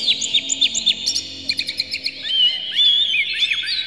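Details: Oriental magpie-robin lure song meant to make a bird sing: a fast run of sharp chirped notes about twice a second, then a smooth wavering whistle over a busy chattering background.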